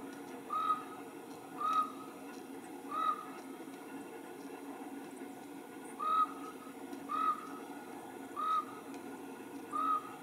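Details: A strange-sounding Common Raven calls from trees across a foggy marsh: eight short, clear, hollow notes, about one a second in two runs with a pause, over a steady low hum.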